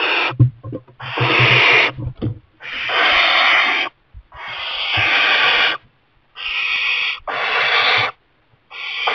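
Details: Young barn owl in a kestrel nest box, its parents keep delivering mice, repeats harsh breathy hisses of one to one-and-a-half seconds, about six in a row with brief gaps and some knocking.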